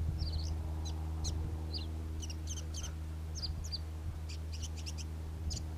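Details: Singing Karoo scrub robin giving rapid clusters of thin, high, sharp notes, some doubled or tripled, in an uneven stream. A low rumbling hum and faint thumps sit underneath.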